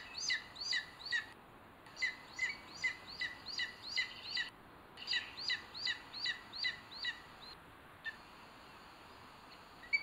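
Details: A booted eagle at its nest in Sierra de Guadarrama National Park, Spain, on 21 May 2022, gives quick runs of shrill, slightly arched notes, two or three per second, in short bursts over a steady background hiss.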